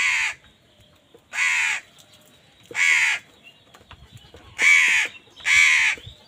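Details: Crow caught up in a fight with wild birds over food, giving five harsh, raspy caws spaced roughly one second apart. Faint background noise between calls.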